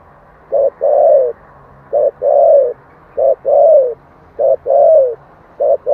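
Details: Rhythmic spotted dove coos in the 'giọng thổ' voice, used to draw birds into a quick reply: each phrase a short clipped note then a fuller, gently falling coo, repeated about every 1.3 seconds.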